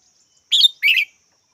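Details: A red-whiskered bulbul utters a crisp double call, a high bright note and then a lower, rolling one, each a fraction of a second long, in otherwise silent surroundings.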